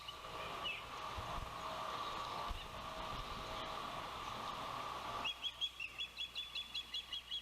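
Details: Osprey at a Savannah nest on a windy June 12, 2021, the day the oldest chick first fledged, later returning when a fish was delivered. Steady wind noise gives way to a regular series of about a dozen short, piercing whistled chirps.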